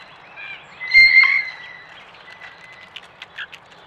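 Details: Blue Jay calls recorded by trail camera at a backyard feeder, amid interactions with red-bellied woodpeckers: a clear, ringing whistled note with softer rasping notes around it, then a sharp knock and brief higher chirps.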